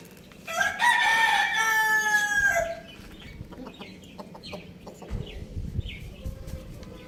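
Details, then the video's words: A Lohmann Brown rooster running on a roof with a hen gives one loud, hoarse crow lasting about two seconds and falling at the end, followed by soft clucks and faint chirps. "Hen and Rooster Crowing Sound Effect"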